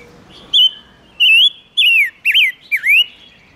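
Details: Lure recording of a silver-eared mesia singing to draw in wild birds: a series of five to six bright, slurred whistles that rise and then dip sharply, delivered in quick succession with short gaps, clean and loud.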